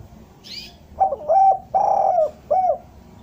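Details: Spotted dove singing derkuku bahan, the type used as a lure to draw doves down; a brief high chirp from another bird, then one deep phrase: clipped opening note, arched coo, long burry coo and short closing coo.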